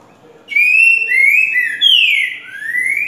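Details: Green-winged saltator (trinca-ferro) singing the 'grego boca mole com boi' song style, used for tutoring young birds: loud, clear whistled phrases that slur downward, then a longer descending whistle and a final rising note, with quiet background.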